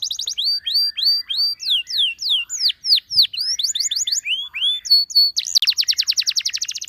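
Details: Canary song intended to call other canaries to sing, heard as clean, loud whistled upward and downward sweeps in quick series, ending in a dense buzzing trill.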